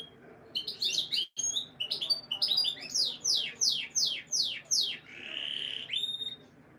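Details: Canary song played to stimulate breeding females: quick chirps, then a series of steep descending sweeps about every half second, ending in a sustained buzzy tone and a final whistle.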